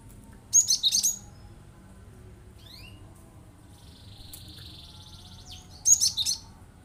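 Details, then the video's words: Cinereous tit (glatik batu) in full song, firing sharp bursts meant to provoke other birds into singing: two loud, high, squeaky chattering bursts about five seconds apart, with faint high notes from other birds between them. "tembakanya bikin emosi burung lain agar ikutan bunyi"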